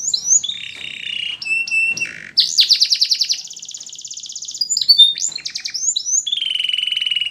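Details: Singing canary for song training, delivering varied phrases: slurred whistles, clipped high notes, a long fast pulsed trill, then sweeping whistles and a sustained even trill at the end.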